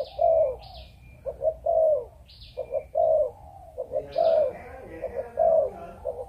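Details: Breeding spotted dove in Vietnam giving low rounded coos in quick paired and triple phrases, fairly regular, while brief higher chirps from other birds sound in the background.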